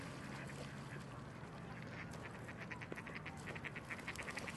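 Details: Coots jumping into the water, giving a run of short, sharp, clipped notes that quicken and grow louder toward the end, over a steady low rumble of water and background noise.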